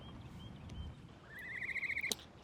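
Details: Captive female Great Horned Owl at a veterinary college raptor centre, unusually talkative and active during the day: a high, thin whistle, then a rising chittering run of about a dozen quick squeaky chirps in half a second, ending in a sharp click.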